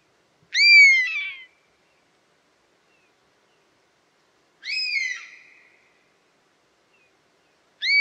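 A European honey buzzard gives three plaintive, high whistled calls, each about a second long and slightly falling, spaced roughly four seconds apart, with quiet in between.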